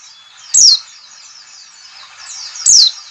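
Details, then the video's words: White-eye 'ngalas' lure call: two loud, sharp, high-pitched downward slurs about two seconds apart, set over a steady bed of faint, busy twittering. "CALL CALL NGALAS cepat memancing PLECI BUKA PARUH"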